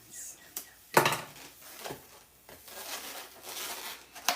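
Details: Indoor handling noises, sharp knocks, rustles and clatter like objects on a table, with no animal voice.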